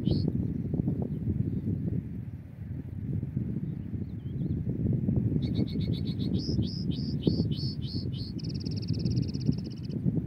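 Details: European goldfinch, migratory, at a trapping site: a faint note early on, then about eight rapid downslurred whistles followed by a sustained buzzy trill, with gusting wind rumbling underneath.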